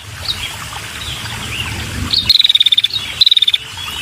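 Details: Female red-headed prinia calling to lure males: after a quiet stretch of rustling background, two short, fast, high trills of even ticking notes, each under a second, arriving about a second apart.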